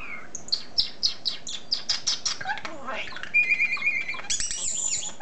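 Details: Pet common starling talking and singing indoors: a quick series of repeated clicking, chattering notes followed by a steady whistled tone and then warbling, wavering high whistles.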